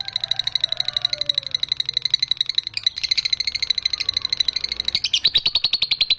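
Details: Young caged lovebird with a long trill: continuous rapid buzzy trill of evenly spaced pulses, about ten per second, running through the whole recording with a brief break near three seconds and a louder, sharper burst near five seconds.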